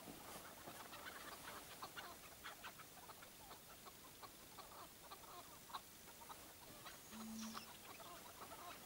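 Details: Tethered chukar partridge kept for partridge hunting calls in a steady run of brief, clipped clucks, repeated several times a second, over faint background hiss.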